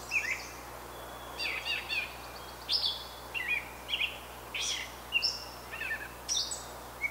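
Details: Wild brown thrasher from Canada giving a series of separate, varied phrases about once a second: brief whistled notes, rough chirps and high slurs, each different from the last.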